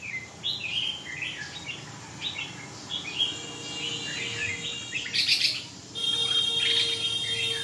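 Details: Red-whiskered bulbul with a string of quick chirped and warbled notes, then a harsh burst and a steady tonal ringing noise in the final seconds.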